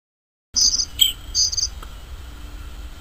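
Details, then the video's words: Bluethroat singing in the wild: loud high-pitched buzzy and whistled notes, two short trilled bursts around a lower slurred note, then quieter background with faint low hum. "Fortuna azul cantando en la naturaleza غناء طائر البلوثروت في الطبيعة"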